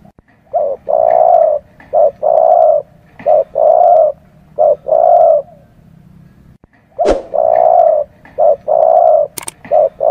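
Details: Spotted dove lure recording for bird catchers: repeated hoarse cooing phrases, each a short note then a longer drawn-out coo, in two bursts separated by a pause of about two seconds, with a faint low hum beneath.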